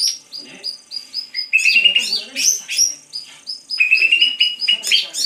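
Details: Greater green leafbird in full song: rapid mixed phrases of clear rising and falling whistles, short chips and a repeated level high note, interspersed with buzzy rattling bursts, delivered without a break.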